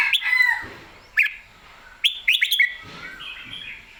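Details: Red-whiskered bulbul, excited and in clear voice, delivers a long slurred whistled phrase, then quick clipped chirps and a final drawn-out warble, with faint clicks in the background.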